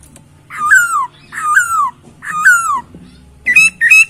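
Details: Masked laughingthrush gives three drawn-out descending slurred whistles roughly a second apart, then two quick higher whistled notes at the end.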